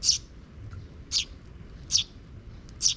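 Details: Park sparrows on 12 June 2023, a young chick trailing its parent after the adult checks for safety: four sharp, bright chirps spaced nearly a second apart against a soft low hum.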